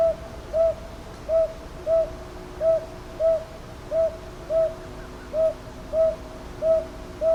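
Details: A long series of about twelve mellow hoots from a northern boobook at Ichijoji in Kyoto's Sakyo Ward, 22 May 2023, TASCAM DR-100MKIII; notes fall in steady pairs, each brief and gently arched, over quiet low-level background noise.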